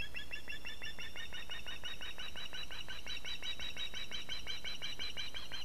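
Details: Female osprey at a webcam nest in Latvia, 6 September 2017 mid-afternoon, calling for fish while waiting on the camera stand: a steady rapid series of sharp piping notes, about five per second, over constant low hum and hiss.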